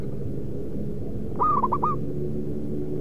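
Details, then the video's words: Zebra dove call used as a lure to trap wild doves: a brief, high rippling coo of about five quick notes near the middle, over a loud steady low rumble. "Mikat Perkutut Dapat Burung Fighter"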